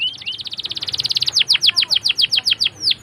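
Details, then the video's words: Canary singing to coach young canaries: a quick buzzy trill of short high notes that speeds into a run of louder downward-sweeping whistles, each spaced roughly a quarter second apart. "PALING D CARI UNTUK PANCINGAN KENARI PAUD BELAJAR BUNYI!!"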